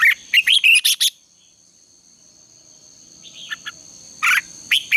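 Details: Morning contest-style singing of a red-whiskered bulbul used to stimulate and train birds: a fast run of loud chirped phrases, a long quiet gap with faint notes, then more bright bursts.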